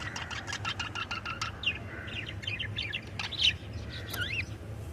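Lovebirds chirp in quick, sharp bursts, with a steady low hum beneath.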